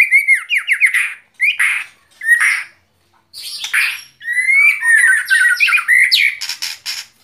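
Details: White-rumped shama singing short clusters of descending whistled notes and sharp rasps, split by brief pauses, then a longer rolling phrase of mixed whistles and buzzy notes.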